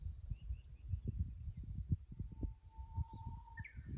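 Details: Japanese bush warbler song at the Kusu tank road, fixed-camera recording dated 25.04.24: a steady, drawn-out whistle of over a second breaks into a short, higher flourish, over heavy low rumbling noise and faint distant chirps.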